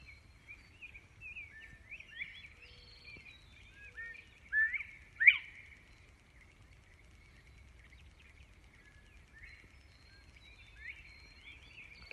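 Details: Northern bobwhite calling on a farm in north-central Missouri: clear whistled notes rise sharply near the middle, set among a busy background of other chirping birds and faint low rumble.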